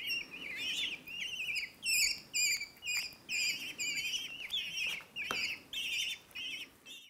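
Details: Young common kestrels in rehabilitation care, fed one last time before returning to their wild nest and family; insistent wavering begging calls in bursts about twice a second, several chicks overlapping.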